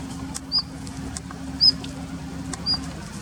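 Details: Wintering Daurian redstart on its territory in a plum grove, late February 2021: three sharp, high whistled notes roughly a second apart, separated by soft tapping clicks and a low hum.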